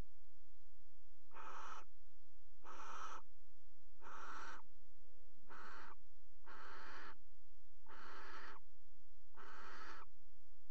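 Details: Harsh rasping screeches from barn owls at a nest box in Axel's water tower, recorded 5 February 2018 during pairing: seven hissy bursts about half a second long, spaced around 1.3 seconds apart, over a steady low hum.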